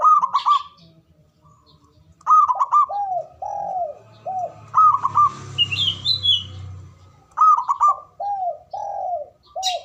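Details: Ngoar manggung coos from a male zebra dove, used to trigger mating arousal: three repeated phrases about every two and a half seconds, trilled stutters then descending hollow notes, with a low rumble and a distant high twitter midway.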